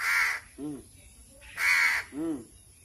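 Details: A hand-fed crow, hungry at feeding time, gives two rasping, broad, noisy caws about 1.5 seconds apart. Each is followed by a short, softer, wavering nasal note.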